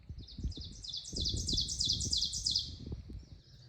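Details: The first Ovenbird of spring, just arrived on migration near Hillsborough, North Carolina, sings its ringing song: quick, high, repeated two-note phrases building steadily louder over about three seconds, with low rumbling background noise.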